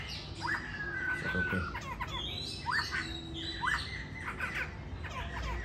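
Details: Caged laughingthrush in Hà Nội, described as having a good voice and a talent for dancing, gives clear whistled notes that sweep upward and then hold level, repeated several times over steady background hiss and low rumble.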